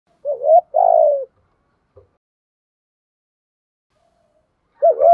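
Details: Spotted dove, male and female, used as a lure bird to attract and train wild doves; low hollow coos around mid pitch, a short bent note then a longer falling one, phrases repeated after a pause.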